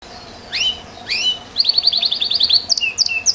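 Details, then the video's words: Belgian Bossu canary singing: two rising whistled notes followed by a rapid trill of repeated chirps and clear high whistles, bright and loud against a quiet background. "KENARI Belgian Bossu Gacor"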